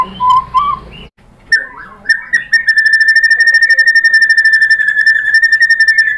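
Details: White-rumped shama lure song: a few low warbled whistles, a short break, then a long, very fast, even trill holding one pitch, about four notes a second.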